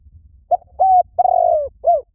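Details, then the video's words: Spotted dove call used to lure birds: a single phrase of four hollow coos, a brief note, a steady level note, a long descending coo and a short falling final note. "Tiếng Chim Cu Gáy Gọi Hay Vang Xa . kích mồi cực hay"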